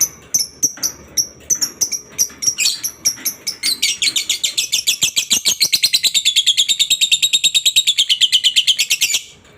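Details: Lovebird in its long 'ngekek' song, which prompts other lovebirds to sing along. High, sharp chirps come at a steady beat at first, then quicken into a long, fast, buzzy chattering trill that runs to the end.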